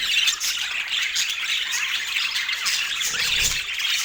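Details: On an autumn morning, feeding parakeets pour out a constant wash of squeaky twitters and rasping squawks. A soft low thud sounds near the end.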